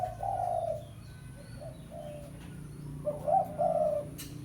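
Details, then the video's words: Spotted dove giving a lure call to draw a rival: a mellow coo, a pause with quieter notes, then a louder two-part cooing phrase near the end, with a constant low background drone. "Tekukur Pikat Suara Memanggil Lawan"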